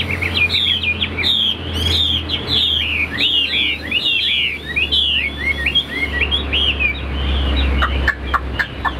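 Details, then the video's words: A tame caged Chinese hwamei gives a rich run of varied, downslurred whistles and warbles for several seconds, then falls quieter with scattered sharp notes, over a constant low hum. "HM 1697 - CHIM THUẦN - HÓT TỐT"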